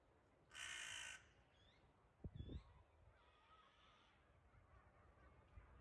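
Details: Crow harassing a wildcat on 9 May 2022: one loud, rasping caw lasting over half a second, followed by a few dull knocks and faint softer sounds against low background rumble.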